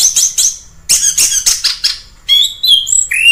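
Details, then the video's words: Orange-headed thrush singing in the wild: bursts of high, scratchy notes, then clear whistled phrases stepping between pitches, with short pauses between. "Suara asli anis kembang di alam liar"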